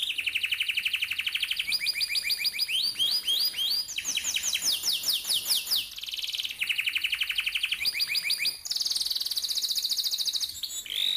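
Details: Canary rolling song meant to prompt young canaries to sing: alternating rapid buzzy rolls and bouncing series of upslurred whistles, phrases changing pitch every second or two, finishing on a high dense trill.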